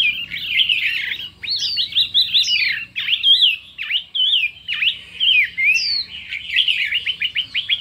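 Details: Chinese hwamei singing in a contest with many voices: dense warbling, sweeping downslurs and sharp V-shaped notes, closing with a fast series of repeated ticking whistles.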